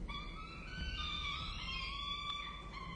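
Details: Young peregrine falcons at a nest on a campus in Orange, Australia, cry out while being fed: a continuous, tense, wavering wail with several voices layered together.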